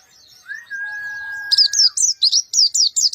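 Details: Javan white-eye, black-eyed type, singing with a rough voice in short bursts: after a steady lower whistled tone, a rapid string of high, buzzy, zigzag chirps follows, repeated more than once a second.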